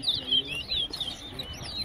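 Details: Large-billed seed finch, a Wessequibo towa towa, whistling in a competition at Tuschen bird ground, Guyana: rapid high twittering whistles with sliding notes, continuous and slightly faint, over low background murmur.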